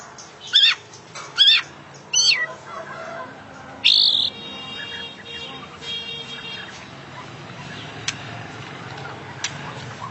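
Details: Oriental magpie-robin (kacer), called an international champion, singing gacor full isian: four loud harsh, rasping bursts spaced about a second apart, then a long buzzy trill fading into faint clicks and hiss.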